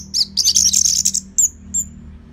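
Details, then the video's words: Orange-headed thrush singing in North Bali, Singaraja, Indonesia, used as a lure for training other birds. A dense, rapid, very high twittering phrase followed by a few thin, drawn-out whistled notes over a low hum. "Kicauan ANIS MERAH Gacor Selow"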